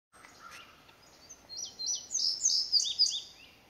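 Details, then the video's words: Wild Indigo bunting singing repeatedly, apparently responding to a house wren and other birds calling nearby; high, sweet paired notes and short slurred phrases build up over the second half, with faint bird chirps at the start. "Indigo Bunting Singing"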